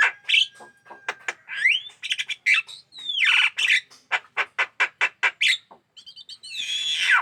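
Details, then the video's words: A hand-aggressive Javan myna sings persistently: rapid harsh squawks, high sweeping whistles and a rhythmic series of evenly spaced rasping notes, ending in a descending screechy phrase. "burung jalak kebo gacor dan galak tangan"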